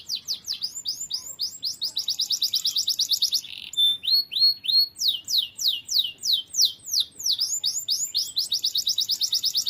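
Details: Canary in full song, used as a tutor recording for other birds: rapid trilled runs broken by a brief buzzy pause, then slower sweeping whistles and renewed fast rolling trills, bright and continuous.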